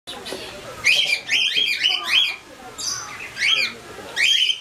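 Cockatiel giving a quick run of bright, warbling chirps, several in close succession, then a short pause and a few more.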